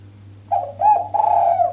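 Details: A single cooing phrase from a female spotted dove calling to attract males: two short soft notes followed by a longer, drawn-out mellow coo, with a faint steady hum beneath.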